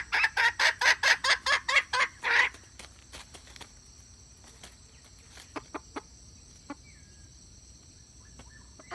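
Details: Red junglefowl hen's male-attracting call: ten quick, harsh clucks during the first two and a half seconds, then only faint, scattered clicks and a soft chirp over quiet background hiss.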